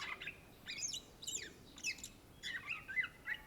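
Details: Cucak ijo, the greater green leafbird of Indonesia, in vigorous song: sweeping whistles that slide steeply up and down, mixed with scratchy chatter, then a run of clear, bouncing notes toward the end.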